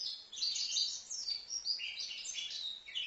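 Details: Five-month-old European goldfinch from Livno singing rapid, tinkling twitters mixed with brief buzzy notes, steady and unbroken with slight dips in loudness.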